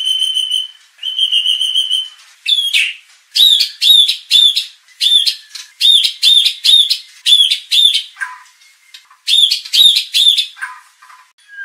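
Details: White-rumped shama used to trigger aggression so that competition birds show off their song. Two long, flat whistles come first, followed by bursts of sharp, ringing notes repeated in quick pairs and triplets, with a few lower slurred notes.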